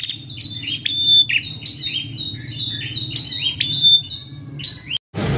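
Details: A female prinia calls the male with a rapid, even series of high, clipped chirps, each sliding down slightly, for about five seconds before a sudden break and a burst of noise.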